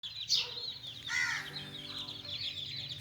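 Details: Little chicks playing, giving dense, high, thin peeps that fall in pitch, overlapping in a busy chorus, with one fuller, lower-pitched call just past a second in.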